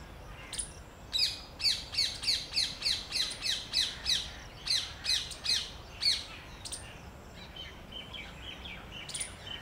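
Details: Pied myna pair perched on acacia branches near their nests in Delhi during breeding season, preening; a rhythmic run of loud, harsh high squawks repeats about twice a second, with scattered chirps before and after.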